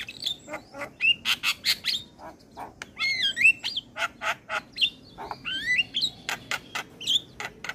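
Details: Asian pied starling song meant to make caged starlings sing more: a dense, chattering medley of harsh clicks, rasping notes and twisting whistled slurs, almost continuous throughout.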